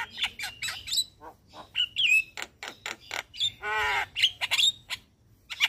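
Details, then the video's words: Javan myna in morning song, head bobbing, used as a master recording for caged birds: scratchy clicks and whistles in quick succession, a long harsh rasping burst past the midpoint, then sharp upslurred whistles. "Jalak Kebo Gacor Mnggut manggut pas Buat Masteran Jalak Pagi Hari"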